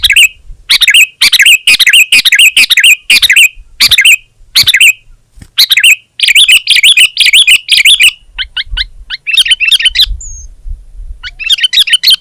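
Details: Sooty-headed bulbul in full song, a steady run of short, loud, bubbly chirping phrases repeated in quick succession, breaking into faster clipped notes and brief pauses toward the end.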